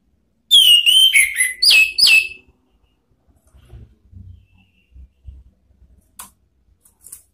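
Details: Ngeplong provoking song of an orange-headed thrush aimed at rivals: a fast string of sharp whistled notes dropping in pitch, about two seconds long, followed by quiet with soft low knocks.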